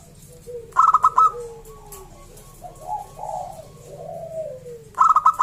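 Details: Local zebra dove, loud and clear-voiced, singing: a burst of quick staccato cooing notes, then softer, lower, drawn-out descending coos, and another staccato burst at the end.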